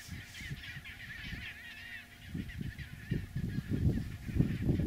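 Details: Chinstrap penguins on a "highway", a trodden snow path between sea and nesting colony stained red by krill droppings, give harsh, wavering, honking calls in a quick, uneven series over low rumbling and thumping, probably wind and movement.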